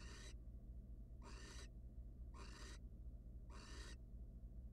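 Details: At a monitored wild nest box, a male barn owl brings prey to his mate and pauses; four harsh, hissing screeches, each under half a second, repeated about once a second over a droning background hum.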